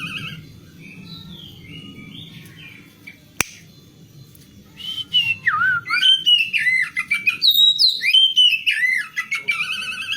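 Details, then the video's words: Female oriental magpie-robin song, used to coax a silent male into singing. Faint whistles over a low hum and a sharp click, then from halfway a stronger run of sweet, slurred whistled phrases. "KACER BETINA untuk pancingan KACER JANTAN MACET BUNYI"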